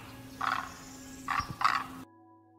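A heron gives three harsh, hoarse squawks: one longer croak, then two shorter ones close together. A faint steady hum sits underneath.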